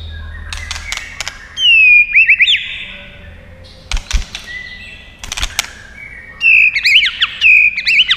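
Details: White-rumped shama fighting song with tail snaps: dry clicking bursts alternating with loud slurred whistles that swoop and descend, a rich warbled phrase returning near the end.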